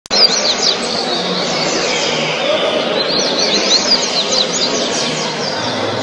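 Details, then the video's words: Rusty-collared seedeater, a national champion in 2013, delivering rapid bursts of high, sharply sweeping whistled notes in two clusters, over a constant dense background murmur of noise. "Coleiro Acessor Campeão Nacional 2013"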